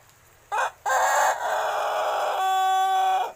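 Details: Young Pelung rooster, about six months old and just learning to crow: a short loud opening note, a brief gap, then one long sustained, rich harmonic crow lasting over two seconds before dropping off abruptly.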